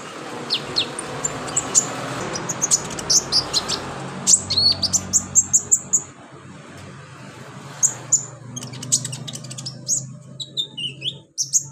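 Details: Brown-throated sunbird giving scattered high chirps, with a clustered run near the middle, in a recording meant to get kept birds singing. Low humming and a steady hiss sit underneath.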